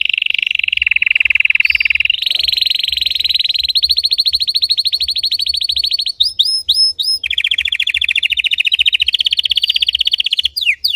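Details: Deep, intense song of a red Belgian canary used for training: continuous rapid rolling trills that step up in pitch through several sections, broken by quick sweeping whistled notes near the end.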